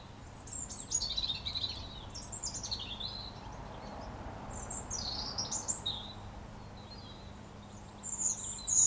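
A robin sings high, thin warbled phrases with varied twittering notes and short pauses between bursts, over a low steady background hum.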